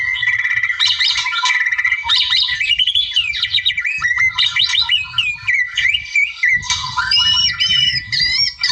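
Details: A wild white-rumped shama sings hard to lure a rival, mixing fast clipped whistles, rising slurs and chattering runs, with steady low background noise throughout.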